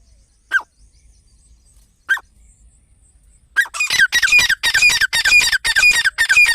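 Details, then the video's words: Grey francolin, a partridge, calling: after two brief isolated notes, loud harsh squealing call notes start and repeat rapidly, nearly twice a second, in a steady rhythmic series. "Teetar ki awaz"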